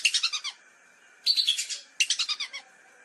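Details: Lesser whistling duck lure call: three brief volleys of sharp, high whistled notes, each about half a second long, over a faint hiss.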